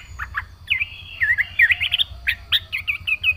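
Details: Yellow-vented bulbul in vigorous full-fill song: a bright, chattering run of quick slurred and warbled notes, some rising and falling, with brief pauses between bursts and a low hum underneath.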